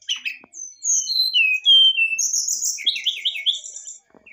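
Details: Brown-chested jungle flycatcher pouring out excited song to provoke a reply: a continuous string of pure whistles sliding downward, rising to a high sustained whistle, then a quick series of warbled notes.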